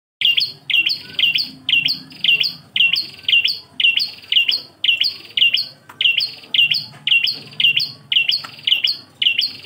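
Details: Bar-winged prinia song, recorded as a tutor track for training cage birds, the style called klawu engkel: a bright high chirp with a higher sliding note, repeated steadily about twice per second throughout, with a faint low hum beneath.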